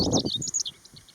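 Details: Chestnut-eared bunting singing on a sunny, breezy early-summer day, 15 June 2020, on the Utsukushigahara highland in Nagano, Japan. A rapid string of high, chirping, slightly buzzy notes trails off into softer notes. Wind rumbles low beneath.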